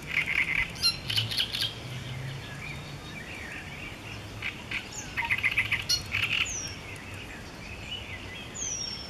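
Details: Great reed warbler at Jaworzyna Śląska, Poland, 20 May 2014, giving loud, harsh, grating phrases of repeated croaking notes in bursts, with thin high whistles from other birds and a low background hum.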